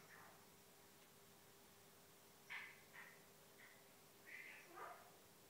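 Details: Waking female Eclectus parrot chatters to herself at morning; a few short raspy syllables, then a louder burst of three or four quick word-like notes, with quiet gaps and a low constant hum.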